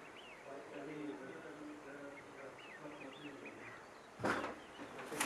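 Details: Whooper swans calling at Nosterfield, 28 February 2015: a chorus of soft, overlapping honks and bugles, then two sharp handling knocks near the end.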